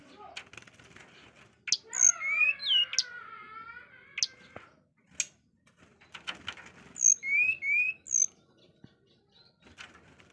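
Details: Burung suling, or sulingan, bird gives a drawn-out nasal note that falls gently with rich overtones. Sharp clicks and clear, rising whistled phrases follow, with thin high upslurs near the end and scattered knocks between them.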